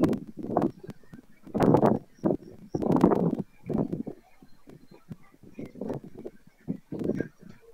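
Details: A white stork at the end of the season, 25 July 2024, in Madrigal de las Altas Torres, Spain, bill-clatters in hollow, wooden rattling bursts of about a second each with short pauses, over faint outdoor background noise.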